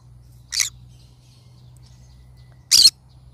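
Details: Pineapple conure uttering two harsh, scratchy calls roughly two seconds apart, the second one louder and slightly longer.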